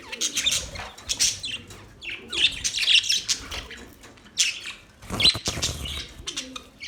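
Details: Budgerigars, Australian parrots, chirping in bursts of bright, high warbling chatter with short squeaky notes, pausing between phrases.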